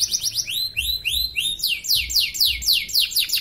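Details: Caged canary in an online singing competition from Pontianak, West Kalimantan, Indonesia: repeated high arching whistles, then fast descending slurred notes, roughly four per second, with faint low thumps beneath.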